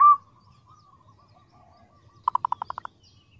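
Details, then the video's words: Local zebra dove calling: one short sharp coo, a faint quiet stretch, then a quick series of seven or eight clipped, pulsing notes that fade slightly toward the end. "Suara prukutut lokal full isian"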